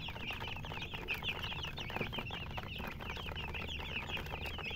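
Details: Chirping chickens with a murgi hen, many short high peeps rising and falling in quick succession, overlapping continuously above a low steady rumble.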